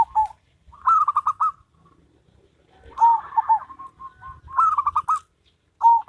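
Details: Two zebra doves, one local and one crossbred, trade rhythmic cooing phrases, fast staccato notes sliding slightly downward, with quieter gaps and soft murmuring coos in between and low background rumble.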